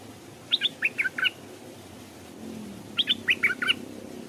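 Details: Caged Stripe-throated Bulbul serving as a decoy by a stream, luring wild birds that approach but dare not land; two bubbly phrases of five or six quick liquid notes, the second repeating the first after a short pause.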